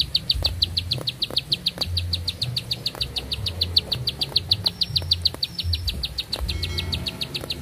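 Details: Bar-winged prinia pouring out a sustained song of quick, sharp, high-pitched repeated notes at a steady rate. A low hum and a few faint thin whistles are heard in the background.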